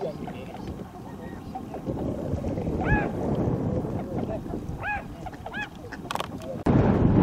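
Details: Wintering flock of tundra swans on a glittering river at Kawajima, Saitama Prefecture, Japan, filmed 4 February 2017; a few short, arched, nasal calls stand out over steady rushing background noise, with a sudden loud burst near the end.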